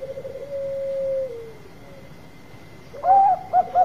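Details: Zebra dove of the Bangkok type giving a lure song: one long smooth level trilled coo that slides downward, a pause, then three short clipped hooting notes; faint constant hum in the background.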